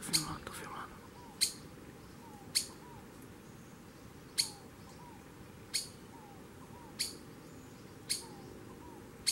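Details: Streaked Flycatcher calling: loud, sharp, explosive squeak notes spaced roughly one to one and a half seconds apart, over a faint steady hum and soft low curved whistles in the background.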